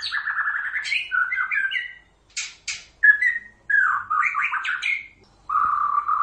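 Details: White-rumped shama in full song, played as a lure so other shamas answer: chattering warbled phrases mixed with sharp high clicks and rasping notes, then a steady low whistled trill at the end.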